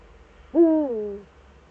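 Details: Eurasian eagle-owl calling in the Eifel, 4 February 2014, at 7:27: a single deep hoot lasting under a second that starts abruptly and slides slightly downward, against quiet low rumble.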